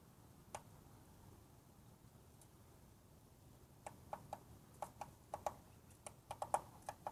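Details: A red-shafted Northern flicker knocks on a hard, non-wooden surface of a building in sharp, irregular taps, about three to five per second, with pauses between bursts, over a faint indoor hum.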